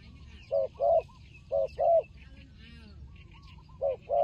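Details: Fighting turtle dove uttering sparse pairs of low coos, a short note then a longer one, separated by quiet gaps with faint background chirps.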